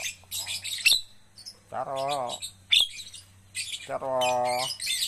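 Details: Javan myna being coached to sing, mixing scratchy, buzzy chatter with two sustained nasal, voice-like drawn notes, each lasting nearly a second, over a constant low electrical hum.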